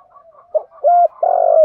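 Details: Spotted dove, male and female calling to stimulate kept birds; faint soft cooing, a short note, a steady clear coo, then a loud long burry coo.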